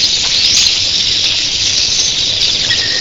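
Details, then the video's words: Red-billed queleas in an early-morning flock of thousands: a loud, continuous sizzle of high-pitched chirps with one short whistle near the end. "RED BILLED QUELEAS EARLY MORNING"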